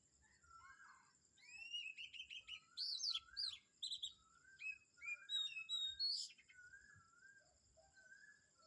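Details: Dawn chorus of several birds at Kamphaeng Saen. Repeated whistled phrases and quick stuttering chirps pile up, loudest in the middle, with thin high notes over a faint continuous hum.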